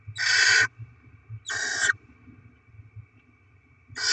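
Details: Feeding time for barn owl chicks as the parents deliver rodents, 7 February 2024: two loud, rough hissing bursts about a second apart, then quiet, and a third hiss just starting. Low rumbling fills the background.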